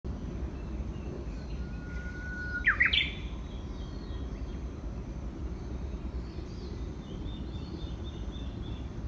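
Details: A Japanese bush warbler, recorded in May beside a flowering kousa dogwood, gives one song: a long, steady whistle, then a quick rising flourish, with faint high notes after it over a steady low rumble.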